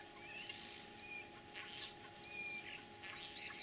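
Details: Common starling singing in spring, 9 April 2023, in Kalyazin district, Tver region, Russia, imitating other birds: a mix of thin drawn-out whistles, high sharp clicks and chattery bursts, irregular and varied over a steady faint hum.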